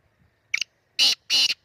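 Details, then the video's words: Black francolin calling at Khushab: three loud, harsh, buzzy bursts rich in high overtones. A short broken note comes first, then two longer grating notes about a third of a second apart, in a quiet background. "kala teeter ki awaz"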